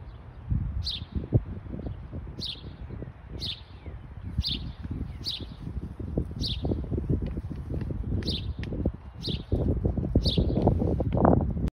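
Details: Michigan house sparrow giving a regular series of short high chirps, about ten in a row, above loud low-pitched clattering and rumbling noise close to the recorder.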